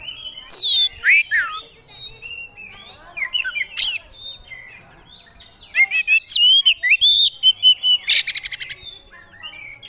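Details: Hobbyist-kept oriental magpie-robin (kacer), a bird entered in training and national contests, singing its isian fill-in material: varied ringing whistles, swooping slurs and chattering notes, ending in a rapid run of a dozen repeated sharp notes.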